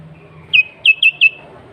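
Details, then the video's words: Energetic song of a sooty-headed bulbul, raw sound used as a lure for wild bulbuls: one sharp whistled note, a pause, then three quick bright notes in a row, each sliding down. "Kutilang Gacor Suara Asli Tanpa Isian, Sangat Cocok Untuk Pancingan Kutilang Bahan Dan Ombyokan."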